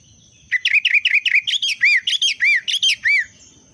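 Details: Rapid run of around fifteen bouncy, chirping whistled notes from a sooty-headed bulbul in breeding condition, lasting about three seconds, over a steady thin high whine.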